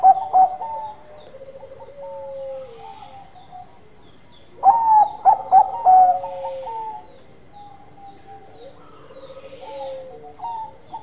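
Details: A Bangkok zebra dove sings: a short loud note opens, then a mid-clip run of four or five quick stuttering coos, with drawn-out falling tones in the quieter gaps.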